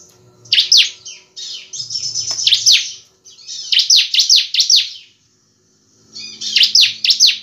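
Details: Ciblek semi cristal, the bar-winged prinia, in vigorous gacor song: rapid strings of high, sharp falling chips alternating with short buzzy trills, separated by brief silences, over a faint low hum.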